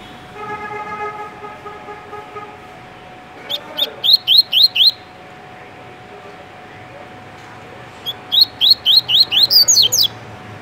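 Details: A caged Double-collared Seedeater from Rio de Janeiro sings the "tui tui" song type: two bursts of bright, high, quickly repeated slurred notes, six to eight per burst, after a steady mechanical whine fades.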